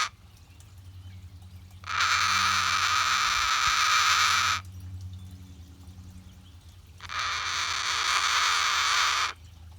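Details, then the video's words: Pet cockatoo, relaxing, repeats a long harsh grating screech twice, each lasting over two seconds, separated by a quiet gap with a low hum and a faint click. "Cockatoo makes interesting sound while relaxing"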